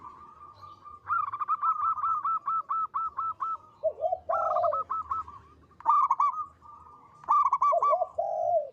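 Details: Local zebra dove singing freely with a strong, long, melodious voice: long runs of fast, even staccato notes, each run followed by deep, descending rolling coos.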